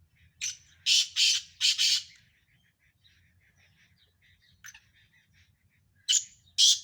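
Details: Black francolin of the Sindhi type, one of five birds in a tough calling contest: a loud phrase of four harsh, scratchy notes, then a lone softer note and the start of another grating phrase, over a low hum.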